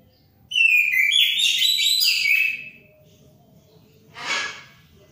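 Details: Singing orange-headed thrush delivers a two-second burst of varied whistled and trilled notes, followed after a pause by a brief broad rushing noise.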